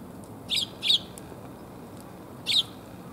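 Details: Eurasian tree sparrows arriving to be fed, 1 January 2022, on the way home: two quick sharp chirps close together, a pause, then a third chirp, over a soft constant hum.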